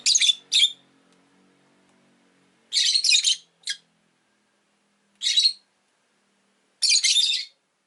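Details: Rosy-faced lovebirds, five kept caged at a window, giving repeated loud harsh chirps and screeches in bursts, some paired, with faint street hum in between.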